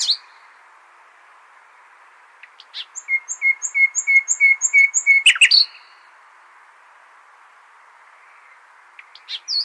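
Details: A nightingale sings in the al-Hasaniya style, meant for tutoring goldfinch and hybrid chicks. A soft start builds into a steady series of about eleven short, clear, even notes, ending in a sharp squeak. Quiet single notes follow after a pause.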